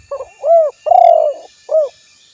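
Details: Spotted dove calling a rival, recorded specially as a lure to make other spotted doves answer; a three-note cooing phrase: a short coo, a long trembling coo, then a short arched coo, over a quiet background.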